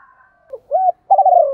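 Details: Spotted dove used as a decoy, with a hanging collar of neck spots, calling: a soft short note, a rounded coo, then a long buzzy coo that falls gently in pitch.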